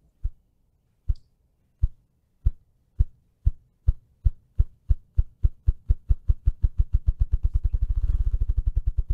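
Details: Ruffed grouse displaying in the woods, drumming: deep, low thumps that start slow, about one per second, then speed up into a rapid whirring roll over nine seconds.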